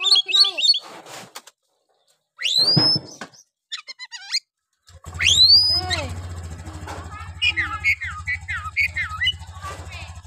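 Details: Oriental magpie-robin song in the rough 'nembak' style, meant to provoke other magpie-robins: sharp whistled sweeps and chattering phrases, with a steady low engine-like hum covering the second half.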